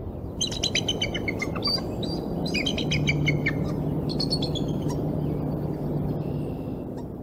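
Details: Bald eagle at a Decorah nest in 2020 while three eaglets hatch; high, thin chittering notes in quick stuttering bursts, pausing and resuming, over a steady low rumble of wind and hum.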